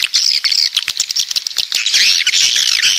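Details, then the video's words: Southern coastal-type swiftlets in close chorus, squeaky high chirps first, then a continuous shrill buzzing trill in the second half. "Suara Walet Pantai Dari Selatan"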